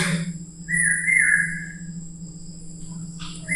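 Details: A common hawk-cuckoo, also called the brain-fever bird for calling nonstop for long periods at night, gives a loud, slightly rising whistled note about a second long, a second note starting at the end, over insect-like hiss.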